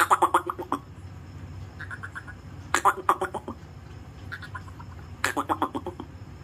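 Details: A talking Alexandrine parakeet mimics speech, clearly saying "Har Har Mahadev" and "Mummy", in three bursts of clipped, speech-like syllables, each a quick run of harsh, voice-like notes, separated by short pauses in a quiet room.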